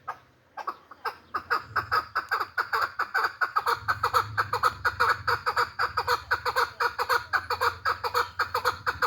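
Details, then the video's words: Tame hybrid chukar partridge calling: a long run of rapid, harsh chuk notes, about two per second, steadily repeated over several seconds, with a low hum underneath. "Кабки гибрид Дастбоз"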